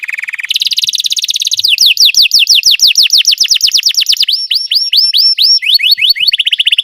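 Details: Belgian canary singing, used for training other canaries to sing: loud, fast song opening with a buzzy held note, then rapid runs of sweeping, falling-rising whistled notes, shifting through several repeated tours of quick, bright syllables.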